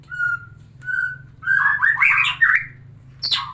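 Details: White-rumped shama song aimed at arousing a breeding female: two short level whistles, then a dense burst of tumbling warbles and a final high sweeping note, over a steady low hum.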